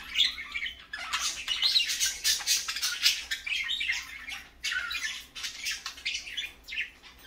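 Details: Parakeets calling steadily in the morning, a busy unbroken stream of scratchy chirps and squawks with brief pauses around one and four and a half seconds.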